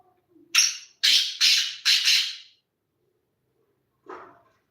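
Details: Harsh call of a black francolin, four loud rasping, broadband notes in a rapid sequence, the first carrying a high whistled edge, followed by silence and a faint lower squeak.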